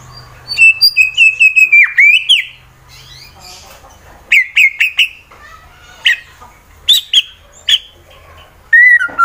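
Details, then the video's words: White-rumped shama, a fighter-style song in Wonosobo, Central Java, Indonesia, used to provoke rival birds into singing: loud clear whistles and sharp rapid note series in separated bursts, some rising and falling, with a low hum early on. "Murai BATU FIGHTER Bikin Emosi lawan langsung GACOR Sangat Ampuh Dijadikan Lawan tanding"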